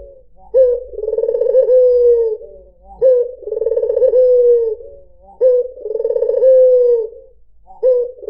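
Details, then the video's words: Low, mellow coos of a white Barbary dove used as a lure: each starts with a short upslurred note, swells into a vibrating roll, then eases downward; three full phrases roughly two and a half seconds apart. "PANCINGAN SUARA BURUNG PUTER PUTIH || SUARA BURUNG PUTER MERDU"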